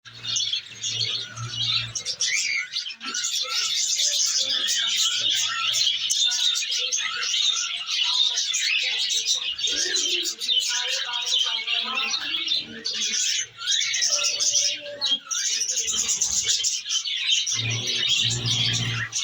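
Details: Budgerigars chatter continuously with busy, scratchy warbles and high chirps after their breeding season has begun.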